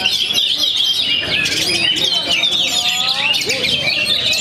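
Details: Oriental magpie-robin, a young bird from Perbaungan after moulting, delivers bright, rapid whistles and chattering trills, with a clear descending note near the end. Many other birds sing around it, and people talk in the background.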